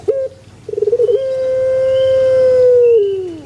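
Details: In a banana garden, a puter pelung gives a short stuttering start and then one long sustained tone of about two seconds that slides downward at the close.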